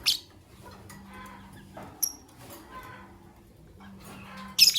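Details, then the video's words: Fischer's lovebirds, white albino and pastel green, chirping in the morning: a harsh squeak opening, a thin whistled note midway and a loud shrill burst at the end over a steady low hum. "Lovebird Chirping Sounds - White Albino with Pastel Green Fischer's"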